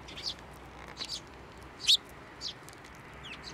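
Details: Sparrows at a Tenmangu shrine, June 2024, flying to a hand to be fed. A handful of faint high chirps with one loud, sharp note near the middle.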